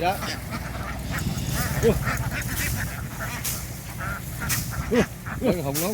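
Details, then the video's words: Farm ducks running ashore as a flock and boarding a boat make a constant buzzing, bee-like babble of many voices with scattered louder quacks, while people talk nearby. "The ducks ran ashore, making a noise like a swarm of bees as they boarded the ship."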